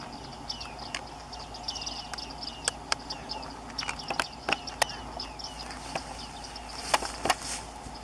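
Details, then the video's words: Male bearded reedling gives short, sharp metallic 'ping' notes, scattered irregularly and sometimes in quick pairs, over a steady background hiss with a few clicks. "Baardman, Bıyıklı baştankara, beeld en geluid/ Bearded Reedling, قر قف بو ذقن, male image and sound."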